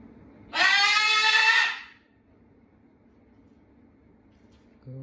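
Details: A red parrot, which a viewer suspects is a macaw, gives one harsh, raspy screech lasting just over a second indoors, then quiet until a brief low sound at the very end.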